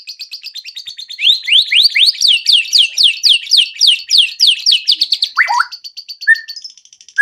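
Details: Lure song of a white-rumped shama, meant to prompt other birds into singing their full repertoire: a run of bright, sharply falling whistled notes about four per second over soft chatter, ending in a few lower slurred notes and a short whistle.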